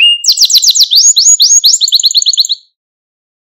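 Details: Malta canary song meant to stimulate young canaries: a rapid trill of falling notes changes into a rising whistle, then a quicker high rolling trill, ending after about two and a half seconds in silence.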